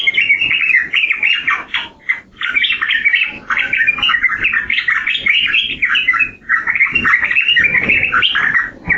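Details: Yellow-vented bulbul (trucukan) singing a dense, bubbly stream of warbled, chattering notes, with only brief pauses near two and six and a half seconds.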